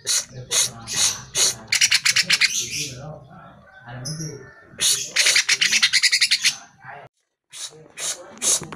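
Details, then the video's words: Greater green leafbird lure song meant to prompt caged birds to reply and sing, with quick strings of sharp chirps and grating notes in separate phrases, a soft low murmur underneath and a short silent gap near the end. "Pancingan Suara Burung CUCAK IJO Dijamin NYAUT"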